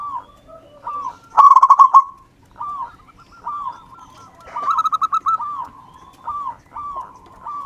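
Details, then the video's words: Zebra dove from local wild stock: a steady series of soft arched coos about every half second, punctuated by two loud fast bursts of clipped cooing notes. "perkutut lokal alam. Gacor"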